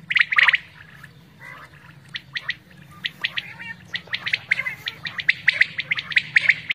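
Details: Quail sound for hunting in Pakistan, heard as bursts of sharp squawky chirps, scattered at first, then quickening into rapid repeated notes, over a constant low hum.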